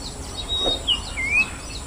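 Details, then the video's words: Common Iora (Aegithina tiphia) calling: a few thin, high whistles, one held level and one sliding upward, over a soft hiss of insects and background noise. "Common Iora A Forest Dweller with Distinctive Calls"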